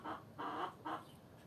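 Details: Three short, rough clucks from hens, the middle one longest, each separated by a brief gap.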